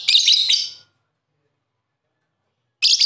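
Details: Lovebird uttering a harsh, high shrill screech under a second long, then silence before another screech begins at the end.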